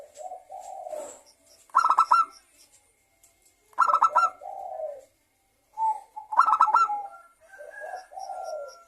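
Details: Local Indonesian zebra dove singing actively, used as a lure to prompt other doves to sing: three bursts of rapid, stuttering pulsed coos, about two seconds apart, with softer warbling notes from other birds between them.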